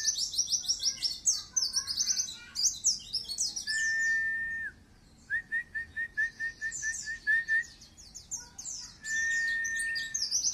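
A white-eye sings in rapid, very high twittering bursts, broken by runs of lower, clear, evenly spaced 'wit' notes at about three per second.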